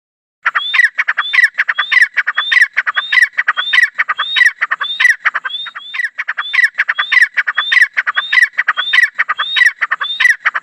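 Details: Grey francolin (dakhni teetar) calling loudly and steadily, a harsh grating note joined to a high rising whistle, repeated about every 0.6 seconds throughout without pause, with a clean, quiet background.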